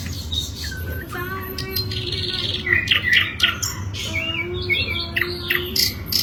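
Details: Asian brown flycatcher in lively song: a mix of buzzy rattles, clicky chatter and short descending whistles in uneven bursts, with a steady low hum in the background.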